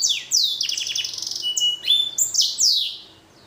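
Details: Pet finch bred from a blackthroat and a canary: fast high trills and downward-swooping whistles, a short pure note, then more rolling phrases fading at the end.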